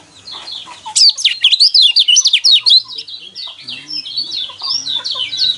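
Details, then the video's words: Yellow white-eye in full song, played to coax caged birds to sing: after a soft start comes a loud burst of fast, sweeping zigzag whistles, then quieter chattering notes with a low hum behind. "burung pleci kecial kuning mana yang nggak kepancing emosinya dengan suara seperti ini"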